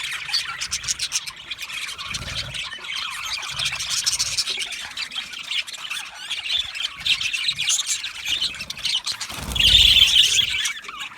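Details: Constant high, scratchy chattering from budgies, with a louder burst of squeaks and a low thump about ten seconds in.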